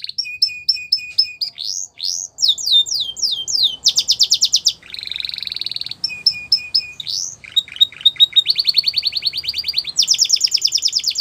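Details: Canary song for training young canaries, Russian and Belgian styles: sequences of short repeated whistles, sweeping slurs, a lower buzzy warble and fast high trills, each phrase changing every second or two.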